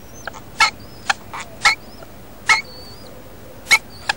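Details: Incubating female wild rainbow lorikeet being fed by her mate at a nest in a house roof: rapid short rasping screeches and clicks, with thin, high, slightly wavering whistled notes between them.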